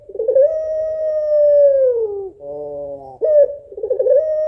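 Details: A female African collared dove of the puter pelung type calls sadly for the male: a quavering start swells into a long held coo that slides down, then a buzzy, many-layered note, before a wavering new coo begins.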